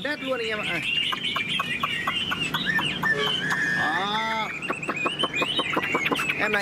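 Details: Tame caged Chinese hwamei singing: a dense, loud stream of varied whistles, rapid repeated chips and slurred rising and falling notes, over steady background noise.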